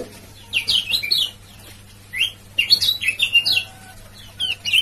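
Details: Male yellow white-eye from Lombok giving 'ciak ciak' calls, used as a lure to get silent birds calling again: bursts of high, fast, sliding chirps and twitters, in two main groups with short gaps between them.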